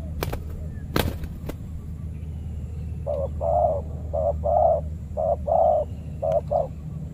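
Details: Spotted dove ruling a banana plantation, challenged by a trained decoy during trapping; sharp clicks and knocks at first, then after three seconds loud paired coos repeated quickly, short note followed by longer one, over low hum.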